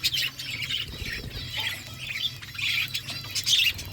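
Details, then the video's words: Budgie flock feeding, with continuous high squawky chatter and warbled chirps from many birds over a steady low hum. "Beautiful budgies flocks birds eating food"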